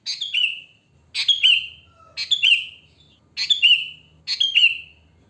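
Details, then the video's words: Sooty-headed bulbul in natural song, used as a lure for bulbuls: five quick bubbly descending whistled phrases about once a second over a low background hum. "Suara Kutilang Asli Alam Tanpa Isian Gacor, Ampuh untuk Pancingan, Bikin Kutilang Ribut Gacor"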